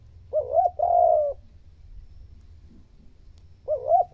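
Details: Stimulating coo of a spotted dove, aimed at provoking difficult decoy birds to call: a short two-note rise, a drawn-out mellow coo, a pause, then the opening notes repeating at the end.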